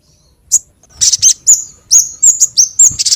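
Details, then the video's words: Sogon bird calls used as a lure to attract sogon birds: a run of sharp, very high chirps and short whistled notes, starting with one isolated note, then a quick burst of repeated chirps after a brief pause. "SUARA PIKAT BURUNG SOGON & PANCINGAN BURUNG SOGON"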